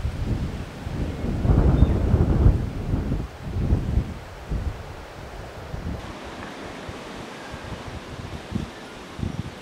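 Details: Gusty wind buffets the microphone over a low roar like surf, with rustling and no animal calls.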